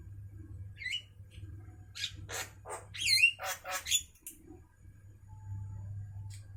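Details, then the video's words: Midday song of a Javan myna, with a burst of grating, squawky notes mixed with short whistles that peaks in the middle and then fades, leaving a low droning hum. "suara asli Burung jalak kerbau Siang Hari"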